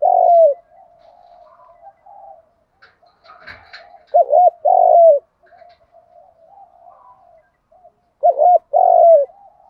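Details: Lure spotted dove in the 'thúc gù' voice, repeating a phrase of two quick wavering hoots and a long falling coo, about every four seconds, with quiet low cooing between phrases and a brief clatter near the start.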